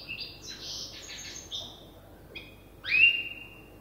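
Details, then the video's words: A young goldfinch hybrid still learning its song, quieter here, gives soft twittering notes, a brief pause, then a clearer upslurred whistle. "تغريد هجين الحسون لازال في مرحلة الحفظ"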